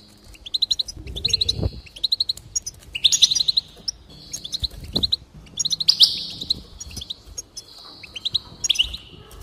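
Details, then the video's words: Goldfinch in full song: repeated phrases opening with fast ticking chirps that run into drawn-out buzzy, wheezy notes, about one phrase every one to two seconds, with a soft low thump early on. "increase the enthusiasm of the goldfinch and encourage it to song"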